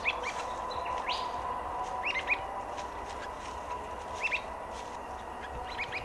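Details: White-browed babblers foraging in ground-storey leaf litter in Victoria in June 2020 give brief, high, chirpy notes, singly or in quick pairs every second or two, over a steady rustling hiss.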